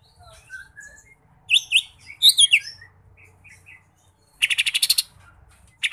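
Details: A mini green leafbird sings a varied, chattering song of high whistles and rapid trilled bursts, with a fast stuttering series of sharp notes near the end.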